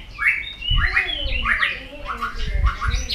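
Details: Fired-up white-rumped shama singing many forest voices in a contest: short whistled phrases around mid pitch, repeated roughly every half second, over low rumbling background noise.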